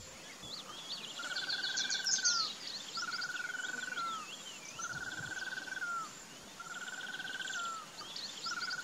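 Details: Chaco chachalaca in the Pantanal, Brazil, seen with a young chick, giving drawn-out, slightly rising mid-pitched notes about a second long, repeated steadily, over high chirping from other birds.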